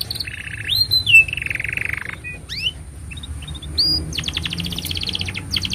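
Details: Canary song used for training young canaries and prompting silent birds: a rising whistle into a long low buzzy roll, a few scattered chips, then a fast, even trill of high repeated notes to the end.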